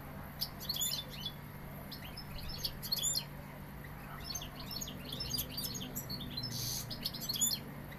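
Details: European goldfinch, described as Sevillian, giving a dense, scratchy medley of high chirps, trills and clicky notes in irregular bursts, with one short rasping buzz; faint constant low hum behind.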